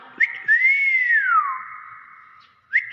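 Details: Nias hill myna whistling one smooth, arched note that rises gently and then slides down, with a short rising flick just before it and another at the end.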